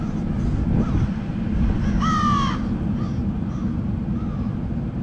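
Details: Crows from a murder of crows: one loud, drawn-out, harsh caw stands out near the two-second mark, with short fainter caws before and after, all over a steady low rumbling background.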